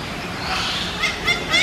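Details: A Hahn's macaw, a subspecies of the red-shouldered macaw, gives three quick, harsh, raspy squawks in under two seconds, rising in loudness toward the end over steady background hiss.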